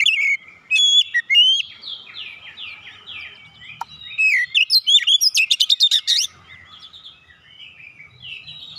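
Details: Oriental magpie-robin song aimed at stirring a silent bird to sing. Whistles open it, then a long run of soft repeated falling slurs. A rapid burst of about ten loud chirps follows before quieter descending notes return.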